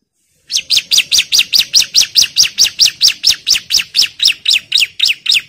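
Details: Lively bar-winged prinia challenging a rival, delivering a rapid, regular train of high, sharp downslurred notes that starts after a short silence and continues without a break.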